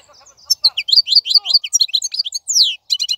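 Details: European goldfinch, trapped from the wild and caged, gives a rich jumble of twittering and slurred notes ending in a long falling whistle and a buzzy trill, with a softer low chatter at the start.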